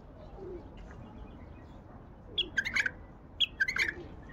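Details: Wild bulbul from Baghdad singing: two short, bubbly, liquid phrases about a second apart, each a quick cluster of warbled and whistled notes, over soft low cooing from a dove in the background.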